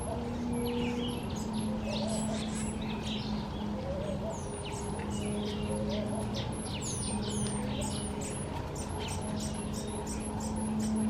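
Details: Southern black flycatchers in a garden giving thin, very high whistles and short slurred chirps in quick succession, over a steady low hum and busy background birdsong.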